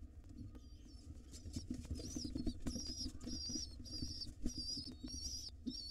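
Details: Begging from wild pigeon chicks in a nest box as their mother feeds them: high, reedy, quavering squeaks that grow louder and more continuous, with shuffling and taps below.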